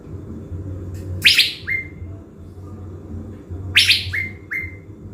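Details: Blue-winged leafbird kept as a decoy bird in Bình Thuận, Vietnam, before heading to the forest: two rasping bursts, the first followed by one short whistle, the second by two, with quiet ticking notes and a low hum.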